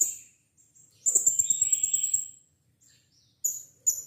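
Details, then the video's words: Blue-crowned hanging parrot kept in captivity, heard as a lure to get another bird singing: one sustained, sizzling high-pitched trill of about a second and a half, followed by two abrupt sharp chirps. "Burung serindit gacor - pancingan serindit agar bunyi"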